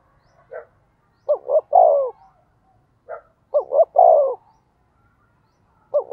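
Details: Decoy spotted dove cooing to draw out other doves. Three phrases, each opened by a short higher note, then two quick coos and a long falling one.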